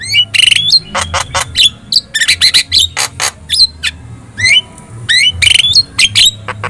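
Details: Javan myna master song meant to make other birds answer, a dense lively series of sharp clicks, harsh rattles and bright downslurred whistles in rapid bursts over faint low hum.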